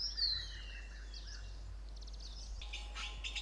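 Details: Red-billed blue magpie foraging on the ground among oak trees at Motidhar, Mussoorie, India: a thin, high whistle slides downward, then a burst of harsh, scratchy chatter near the end, over a low background rumble.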